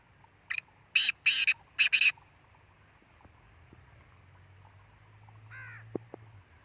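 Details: Harsh, grating call of a Black francolin, a stuttering series of five broadband syllables in the first two seconds, followed by quieter rumbling and a fainter, lower call near the end.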